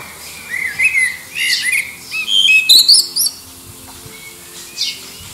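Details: Blackbird competing in song with distant birds to attract a mate, recorded under the approach to Liverpool airport: a run of soft whistled warbles climbing into a bright, high squeaky trill, then quieter faraway notes.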